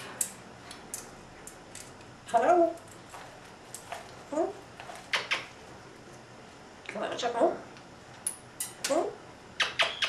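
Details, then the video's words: Pet female African grey parrot mumbling as she eats, mixing her imitated male and female voices: scattered clicks and brief murmured speech-like phrases, some crunchy, spread irregularly through a quiet small room. "talking while eating"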